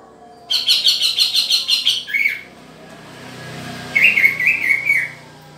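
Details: Green leafbird during pairing: a rapid run of about ten bright chirps, followed by a short slurred note and then a quieter warbling phrase, with a low hum in the background.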